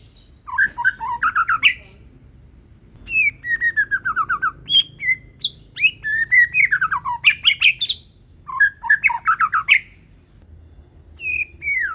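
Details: Banded young white-rumped shama of the Medan type, not yet in adult plumage, in full steady song: bursts of rapid whistled trills and descending slurred notes, separated by short pauses, with faint low background hum.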